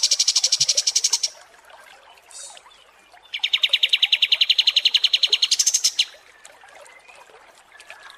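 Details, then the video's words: Pied Triller (kapas tembak) song used as long training audio for contest songbirds: a fast high trill of repeated notes, a pause, then a longer even trill ending on higher notes, with faint soft chirps behind. "MASTERAN KAPAS TEMBAK DURASI PANJANG"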